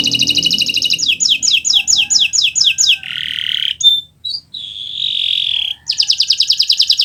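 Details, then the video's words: Canary (Kenari Nusantara) singing as a tutor for other birds: a rapid trill, a row of bright downslurred notes, then buzzy wheezing phrases and a final fast trill. "Suara Burung Gacoran Kenari Nusntara, untuk Masteran Belajar Bunyi"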